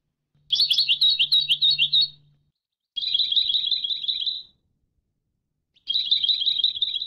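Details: European goldfinch in an educational training recording: three sustained rattling trills of rapid bright notes, the first more varied and twittering over a low hum, the others steady and buzzy.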